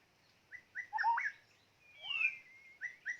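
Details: Short snatch of a decoy white-rumped shama's song: a few clipped whistled notes, a loud slurred phrase, then a long high sweeping whistle and two brief notes.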